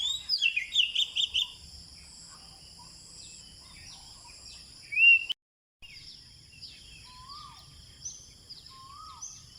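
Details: Birds singing at sunrise in an eco park at Bandar Seri Botani, Ipoh, Malaysia. A burst of rapid high twittering opens, then a loud chirp. Later come two rising whistled notes, over steady high insect drones.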